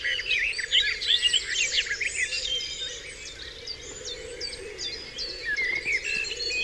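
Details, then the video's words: Dawn chorus of wild birds on Dewlands Common: many overlapping high warbles, trills and whistled notes, densest in the first two seconds, then sparser chirped phrases, with a steady low hum running underneath throughout. "Dawn Chorus"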